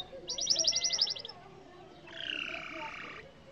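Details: Yellow canary song, fairly quiet: a fast, even rattling trill of about a second, a short pause, then a harsher buzzy, nasal drawn-out phrase.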